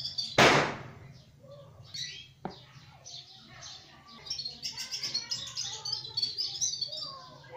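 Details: A loud bang and a sharp knock open the scene, then scattered sparrow chirps build into a lively run of high, clipped notes, with a faint low hum throughout.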